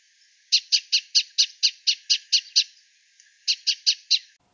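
Scarlet-chested Sunbird giving a run of ten sharp, high chipping notes about four per second, a short pause, then four more.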